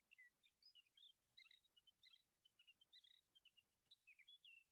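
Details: Sage thrasher (Oreoscoptes montanus) on Marble Hot Springs Road, a fast, run-on warble of short high notes and slurred whistles, working in an imitation of a sora's whinny.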